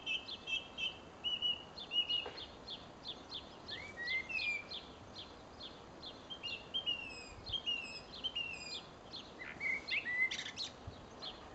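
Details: A song thrush perched in a tree at Pessac, Gironde, France, sings loud, varied phrases of clear whistles and sharp chirps, repeating some phrases in quick succession, with a soft background hiss.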